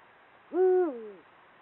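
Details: Territory-marking hoot of a breeding-season male Eurasian eagle-owl. A single low, even tone holds briefly, then slides down into a lower, fading tail, about 0.7 seconds in all. The setting is otherwise quiet.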